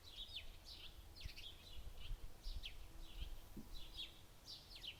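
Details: Wild birds singing on a Monday night, 14 June 2021, during the white nights near Pechora in the Komi region, with repeated bright chirps and short warbled phrases roughly every half second over a steady low background hum.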